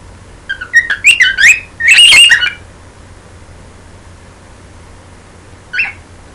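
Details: Pet bird singing toward its owner's hand, giving a quick string of bright chirps and warbles that ends in a longer, squawky burst, then a lone short chirp after a pause.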